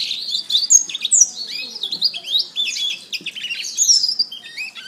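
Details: Kenari (canary) song for training other birds: dense, fast, high-pitched twittering with sharp upslurred and downslurred notes tumbling together, bright whistled accents scattered throughout, and no other sounds.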